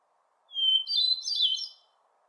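A hermit thrush sings one phrase: a long, pure held whistle followed by a quick, tumbling cascade of higher, flute-like notes. A faint low hum sits underneath.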